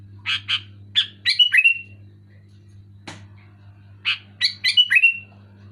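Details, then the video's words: Sooty-headed bulbul giving loud, clear bursts of bright chirpy notes in two clusters, each ending in a short slurred whistle, over a steady low hum. "Suara burung kutilang gacor keras jelas"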